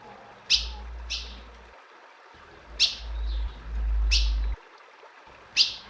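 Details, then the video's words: Calling female ultramarine grosbeak, used to stir up a male, gives six short, piercing chip notes at uneven intervals over a low background rumble. "Deixe seu azulão doido com essa fêmea,esquente seu azulão"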